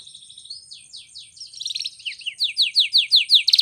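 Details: Canary training song opens softly with high sliding twitters and warbles, then builds into a loud, steady sequence of clear downward-swept whistles repeated roughly three times a second.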